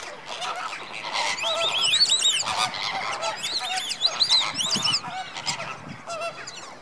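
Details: A flock of greater flamingos at Slimbridge, active before bedtime in January 2016, keeps up a dense, overlapping chorus of nasal, goose-like honks, with several birds calling at once in rapid, irregular bursts.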